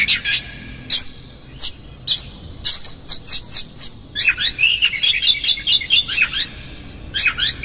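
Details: Oriental magpie-robin song played as a lure to provoke another magpie-robin: rapid varied phrases of sharp whistles and chirps, high and bright, with a fast run of repeated notes in the second half; no other sounds.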